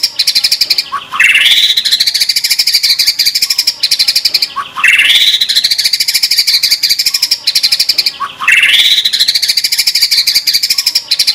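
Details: White-rumped shama (murai batu) training song, full of 'tembakan' fill phrases. A bright rising whistled trill over a dense high rattling buzz repeats about every three and a half seconds.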